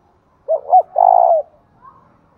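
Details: Spotted dove coo in thúc bổi lure fashion, meant to rouse another dove: two brief notes then a long level coo falling slightly, with a soft faint note afterwards.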